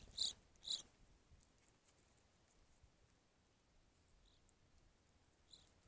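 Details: Evening grosbeak at a feeder giving two loud, ringing high call notes in quick succession, followed by near silence broken by a couple of faint distant notes.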